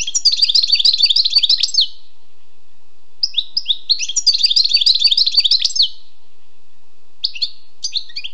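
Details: Wild European goldfinch pouring out two long, dense bursts of rapid twittering and tinkling notes, each lasting about two seconds, followed by brief scattered chirps, with a faint low hum underneath.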